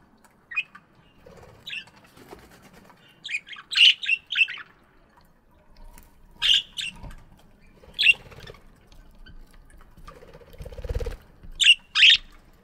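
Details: Chirping budgies in an aviary in the morning: scattered clusters of short raspy chirps every one to two seconds, with a brief low rushing noise near the eleventh second.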